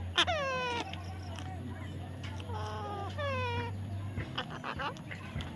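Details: Baby parrot being tamed gives a sharp cry, then several descending harmonic squawks spaced over a few seconds, with softer rough notes and background hum.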